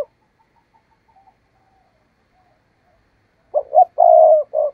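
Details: Spotted dove used as a trapping decoy, cooing to draw wild doves: near silence, then a short burst of throaty low coos near the end.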